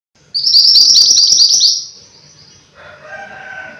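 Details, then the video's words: Mountain white-eye singing in a fast, bright series of high rising chirps for about a second and a half, then quieter, lower warbled notes from another bird follow. "Burung MANTENAN GUNUNG Gacor"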